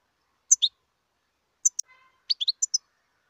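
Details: Wild European goldfinch giving sharp high double chirps, then a pause and a quick cluster of tinkling notes, in otherwise clean silence.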